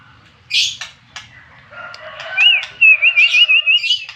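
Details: White-rumped shama song used as a lure to provoke rival birds: scattered harsh bursts and clicks, then a series of loud, rapid wavering whistled notes repeated about five times.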